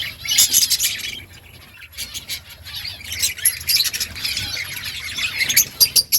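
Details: Budgerigars in an outdoor colony give bursts of high, grating chatter and sharp chirps, a quieter gap near two seconds, then overlapping warbling from several birds picks up again.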